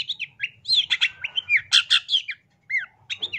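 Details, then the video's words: Cendet, the long-tailed shrike, in full masteran song: clustered harsh bursts and slurred whistles, a short gap, then a falling whistle and a few final chips, with a faint low hum. "Kicauan Cendet No #1❗SUARA Masteran Cendet Gacor FULL ISIAN JOS"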